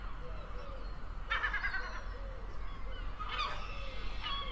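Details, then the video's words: Gull cries in two short loud bursts of rapid repeated notes, fainter mewing calls between, over low steady rumble. "Le cri de la mouette et description 🦤 Bruit des mouettes, son d'une mouette🦤"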